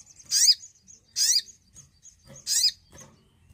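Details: Javan cochoa, used to prompt silent birds to sing, gives three loud, harsh, sweeping high notes about one second apart, with faint thin whistles and soft ticks in between.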